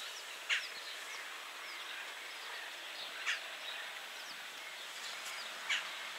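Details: Wood sandpiper calling: three short, sharp, high notes spaced roughly two and a half seconds apart over a steady background hiss.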